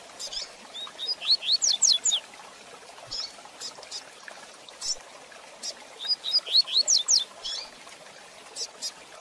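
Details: Rusty-collared seedeater song from a fast-paced training recording for teaching young birds, in the tui tui zel zel de fibra style: high twittering phrases with rising whistled notes, repeated twice with short gaps, over quiet background hiss.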